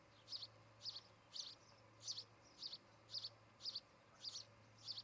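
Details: Ospreys, a breeding couple at their nest near Charlo, Montana, captured by a camera on 17 August 2018 in the afternoon; shrill, high whistled cheeps, nine in five seconds, steady and insistent, with faint background hum.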